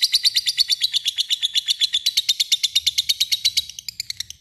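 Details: Lovebird giving a long ngekek chatter meant to call an opponent and bait other lovebirds into calling: a shrill, rapid rattle of harsh notes, about eight per second, running steadily for four seconds before fading at the end.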